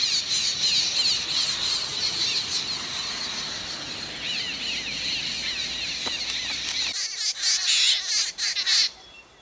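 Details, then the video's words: Jungle babblers, a group fighting over territory in the Indian subcontinent: harsh, rapid squawks and squeals repeated about three per second, layered and overlapping, with wing flaps; a sudden quieter gap near the end before a few more squeals. "jungle babbles war for Territory सातभाई पक्षांचे टोळी युद्ध"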